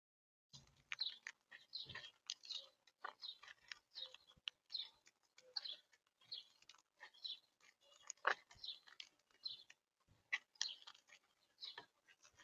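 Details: Wild monk parakeets eating sunflower seeds: a steady run of short, sharp chirps and clicky notes, often several per second, mixed with crunching and pecking sounds from the feeding.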